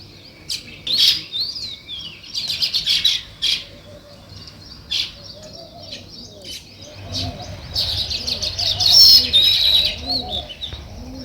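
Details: Natural sparrow chirping, described as weaver birds: bursts of high, busy chirps and twitters come and go across the clip, with quiet gaps between. Soft, low cooing notes sit faintly underneath.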